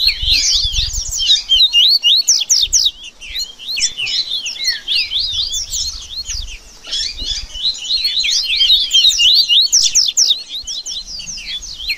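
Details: Dense rusty-collared seedeater baderna for warming up and shaping song: sustained, frantic high-pitched twittering of many overlapping notes, loud bursts alternating with slightly quieter stretches, with low rumbling background noise in places.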